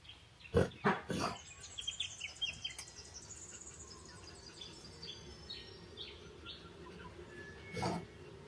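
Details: Birds chirping at a cabin by the lake: several thin, high chirps and short twittering notes scattered over a few seconds, with a few loud low thumps near the start and another near the end over steady background hum.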